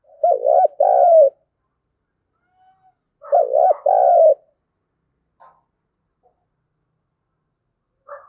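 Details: Spotted dove thúc gù coo in thổ đồng voice, played to provoke wild doves to answer: two paired bursts of quick hooting notes about three seconds apart, followed by quiet with faint scattered sounds.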